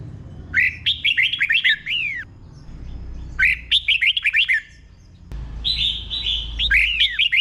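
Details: Red-whiskered bulbul, a caged Thai song bird, delivering slow, clear doubled-style phrases meant for learning birds to copy: three bright warbled bursts of quick rising and falling whistles, each ending in a down-slurred note, with low hum underneath.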